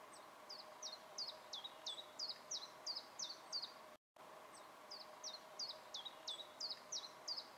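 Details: Common chiffchaff singing on 8 May 2017, Finland: a steady string of high, sharp notes alternating between two pitches, about three per second, over a low, steady background hum.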